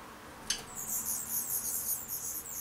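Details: Black redstart chicks being fed beg with very high, thin, wheezy squeaks in rapid pulsing bursts, several per second, after a single sharp click.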